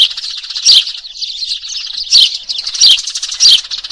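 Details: Eurasian tree sparrows, burung gereja, giving noisy lure calls used for trapping: dense, unbroken high chirping chatter, punctuated by louder sharp chirps about every 0.7 seconds, as of a busy flock.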